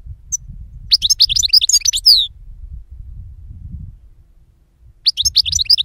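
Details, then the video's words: European goldfinch singing, recorded for luring birds for capture: two bursts of rapid, high, liquid twittering with tinkling and downslurred notes, separated by a quiet gap over a low background rumble. "Chardonneret qui chante"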